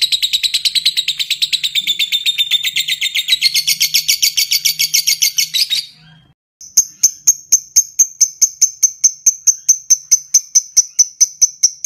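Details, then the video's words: Lovebird in a long ngekek: six seconds of fast, grating chatter sliding slightly lower, a brief pause, then a ngetik run of clean, high, ticking notes repeated about twice a second. "Suara Jernih Burung Love Bird Ngetik Ngekek Panjang"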